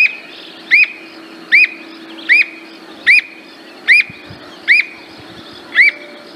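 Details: Squirrel cuckoo (alma-de-gato) song: a steady series of clear, arched whistled notes, about one every 0.8 seconds, over a faint low hum.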